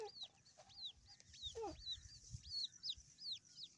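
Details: Grey francolin chicks calling: a run of thin, high, downward-slurred peeps, several in quick irregular succession, with a lower short note now and then over faint low background rumble.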